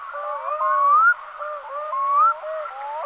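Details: Gavia arctica, the Black-throated Loon, uttering repeated rising whistles over lower wavering tones, about every second, clear and loud in a continuous chorus-like series.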